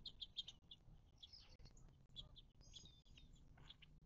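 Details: Birds calling at a desert watering hole in the western Mojave, southern California, near Joshua Tree National Park, on 19 March 2024. Three quick high chips open, followed by irregular chirps, a thin whistled phrase and distant twitters.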